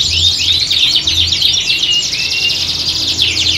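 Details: Canaries singing as a squad in a competition-style atmosphere for training contest birds; overlapping rapid chirps, downward and upward slurred notes and a few longer whistled phrases, with a steady low hum beneath.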